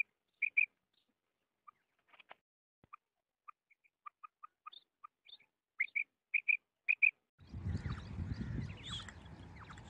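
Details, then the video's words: Female common quail gives short, high, clicking 'krrk' notes, singly and in quick pairs, at an uneven pace; a burst of rumbling noise cuts in near the end. "Madi Batair Ki Krik female quail sound"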